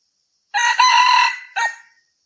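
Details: A red junglefowl, in a recording meant as a hunting lure, crows once: a harsh, rasping phrase of three parts in quick succession, the last one short and clipped.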